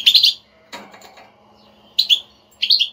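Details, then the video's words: European goldfinch batbata, a chatter played to stir a non-singing goldfinch into song: a quick cluster of bright chirps, a soft rustle, then two more short twittering bursts, with a low hum underneath. "حسونك لا يغرد أسمعه هاته البتبتة"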